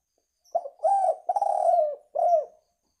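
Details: Spotted dove (tekukur) coo phrase for luring birds, loud and close: a clipped opening note, two drawn-out mellow coos, the second gently descending, and a last curved coo.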